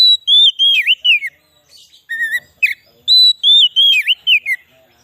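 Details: White-rumped shama lure song for wild shamas: two phrases of clear whistles each ending in swooping dips, separated by a lower whistle and short chatter.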